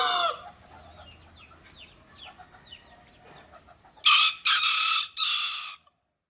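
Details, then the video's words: Hen calling: a few faint, high, thin chirps, then three loud, harsh squawking bursts in quick succession near the end, each lasting under a second. "funny hen sound"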